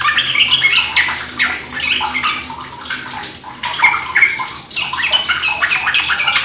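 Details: Yellow-vented Bulbuls in a dense, overlapping chatter of rapid, bubbly notes, recorded as a lure to push caged birds into fast ropel singing, with a steady trickle of water underneath.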